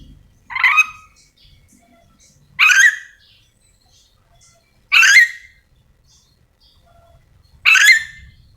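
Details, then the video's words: Yellow-and-green lorikeet, a hooked-bill parrot endemic to Sulawesi, calling: four loud, harsh, screechy squawks spaced about two to two and a half seconds apart, quiet between. "Suara asli nuri dora memanggil"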